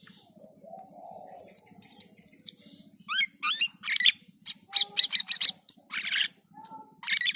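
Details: Black-and-white bulbul, known locally as cucak keling, singing vigorously (gacor): short high whistled slurs, then rising sweeps and dense bursts of buzzy chattering notes, with a steady low hum in the background.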